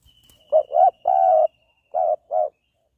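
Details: Spotted dove cooing: three low, hollow coos, the third drawn out and longest, then a short pause and two more even coos. A thin, steady high whine sounds through the first half.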